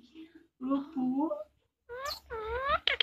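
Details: Pet rose-ringed parakeet talking in Hindi, producing a few hoarse, drawn-out speech-like syllables with wavering pitch, a brief silence, then a louder nasal phrase ending in sharp clicks.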